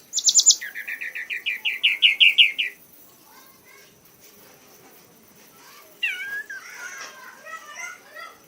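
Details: Caged red-whiskered bulbul, an award-winning bird, singing excitedly: a brief high trill turning into a long, rapid run of repeated clipped notes, then quieter twittering with background noise.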